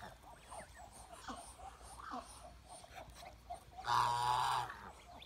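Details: Chinese goose, a domestic breed: several seconds of soft, scattered chirping, then one loud, harsh, brassy honk near the end lasting almost a second.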